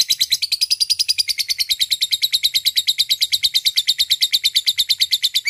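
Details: Lovebird in ngekek, the long chatter used to lure and call a rival bird: fast, even stream of harsh, buzzy notes at about eight per second, continuing without pause.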